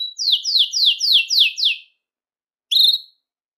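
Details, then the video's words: Belgian canary song for calling canaries: six bright downward-slurred whistles in quick succession, a short pause, then one brief high note. "CANTO PARA ATRAIR E CHAMAR O CANÁRIO BELGA"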